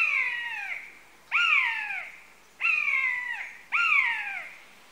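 A buzzard gives four loud, cat-like mewing calls, each sliding down from a high pitch, spaced about every second and a half. No other sounds are heard.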